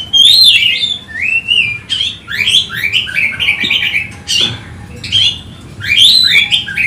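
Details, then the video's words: Oriental magpie-robin, agitated and seeking an opponent, giving rich looping whistles that rise then fall, in repeated phrases with short breaks and a single sharp click midway. "Kacer ngotot emosi mencari lawan"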